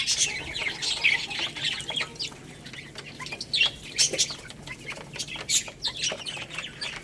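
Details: Young chicks eating rice give thin, high peeping notes, some short and sliding, in uneven bursts with occasional sharp clicks in the background.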